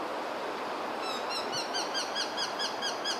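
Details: Japanese sparrowhawk during courtship feeding, a male wanting to hand over prey: a fast series of thin, high, falling whistled notes, about two per second and growing louder, over steady broadband background noise.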